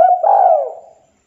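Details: Spotted dove, a local bird calling to challenge a rival, giving a single loud, mellow coo that holds steady, then swells and slides downward before fading out.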